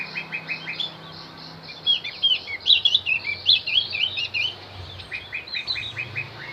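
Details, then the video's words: Javan white-eye song for luring wild birds: high slurred twittering notes in the middle, framed by soft repeated chips, over a low background hum. "opior Jawa pasti nyaut pancing dengan Opior Jawa ini"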